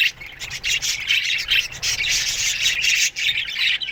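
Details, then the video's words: Morning chatter from a budgie colony kept in an aviary, a continuous mass of buzzy, rasping chirps and squawks overlapping with almost no gaps. "Budgies Morning Chirping Sounds"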